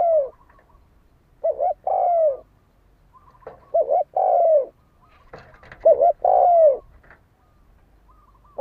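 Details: Spotted dove decoy used to provoke fighting, repeating its phrase about four times: a quick double note then a long descending coo, with faint clicks and rustles between phrases.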